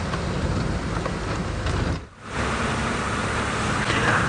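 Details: A steady rumble of a vehicle driving with rain-like hiss, briefly dipping quieter midway, and no animal calls.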